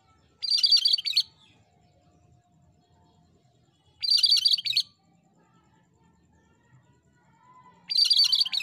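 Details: Masteran recording of gacor cucak kerinci, the cream-striped bulbul: the same quick high twittering phrase repeated three times, about every four seconds, each under a second, with near silence between.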